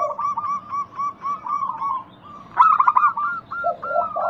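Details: Local zebra dove lure song to get other doves calling; a steady train of short, evenly spaced coos gives way to a loud rapid burst and low rolling coos.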